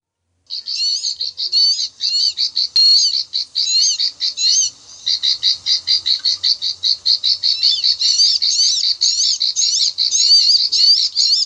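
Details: Bar-winged prinia call from rice fields, used as a lure for bird trapping: rapid high clicking chirps in bursts, repeated nearly twice a second with brief pauses, layered harmonics, no other sounds.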